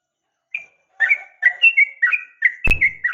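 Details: Sooty-headed bulbul, female calling the male with a fighting sound: a single thin note, then a quick series of whistled, slurred phrases rising and falling, with a sharp click partway through.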